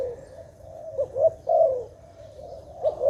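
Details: Dove heard in a bird-trapping setting, giving soft rolling coos with short warbled notes, a few bursts spaced through three seconds over a low steady rumble.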